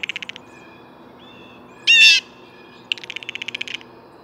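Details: Blue jay giving one loud, harsh, rasping call in the middle, set between two rapid trains of short, clicking pulses.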